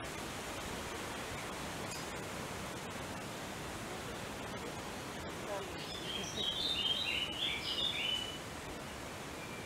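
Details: A lesser spotted woodpecker in the English Midlands on 5 June 2015 gives a brief run of thin, high, piping notes over a steady rushing background.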